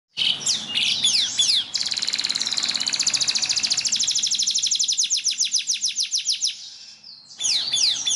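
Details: Yellow canary singing during song training: loud, high trilled rolls of rapid repeated notes, some sweeping downward, running for several seconds, a short pause, then more fast trills.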